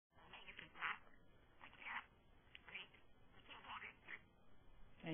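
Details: A pet budgerigar, coaxed by its owner to talk, chatters in quick, scratchy bursts that imitate human speech.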